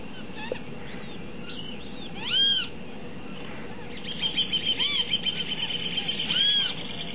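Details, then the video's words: Great kiskadee (benteveo común) giving loud, slurred, arching notes, one near the start and a run of rapid harsh notes later, over a steady background hiss. "Benteveo común/Great Kiskadee"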